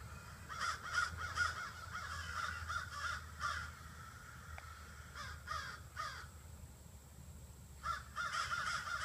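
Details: Around 30 to 40 crows collecting in trees in front of a house each evening, giving bursts of harsh, overlapping caws with short lulls between, over a low background rumble.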